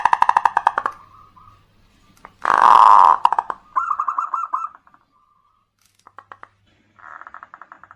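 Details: Local zebra dove used as a lure to stimulate other birds, giving rapid trilled cooing notes in short bursts, with a loud broadband burst of noise midway and gaps of silence.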